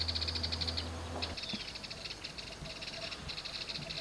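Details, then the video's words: A family of yellow-eyed babblers hanging out on top of grass at Dakdam, Mondolkiry province. Rapid, high chattering notes in quick bursts early on, then scattered sharper notes over a steady low hum. "Noisy bird the Yellow-eyed babbler"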